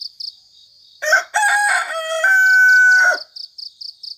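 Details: Early-morning bird in cool countryside giving one loud, harmonic, drawn-out crowing call lasting about two seconds, rising then held steady, over rapid pulsed insect chirping before and after.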